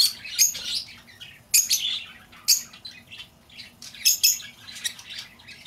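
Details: Lovebird calls played to lure back an escaped bird: shrill, harsh chirps and squawks in short bursts, with loud outbursts near the start, middle and around four seconds in, and softer chatter between them.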